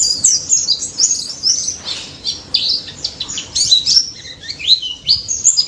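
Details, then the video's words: Wild daput white-eye singing strongly, intended to make mute white-eyes reply: tangled high warbles and squeaky whistles with brief pauses, fluctuating loudness, and a few lower chirps. "BURUNG PLECI DAPUT GACOR NGALAS NEMBAK"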